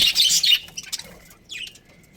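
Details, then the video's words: Budgerigars, a breeding pair in a colony, give a quick burst of harsh, high chattering chirps in the first half second, followed by a few scattered faint squeaks and one short descending chirp. "Cute Budgies Chirping Sounds"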